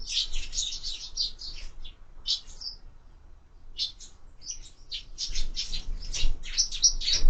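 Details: Sparrows feeding at feeders fixed to a window: bursts of sharp high chirps, a quieter pause midway, then renewed chattering.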